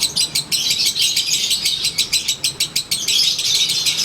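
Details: Konslet-style lovebird doing its daily ngekek while sunbathing: shrill, scratchy chatter pulsing steadily at about three to four bursts a second, loud and close throughout.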